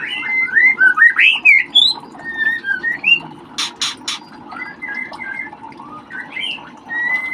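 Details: White-rumped shama chicks being ringed utter a burst of rapid twisting whistles and chirps, then quieter spaced whistled notes, with two loud clicks midway and low background noise.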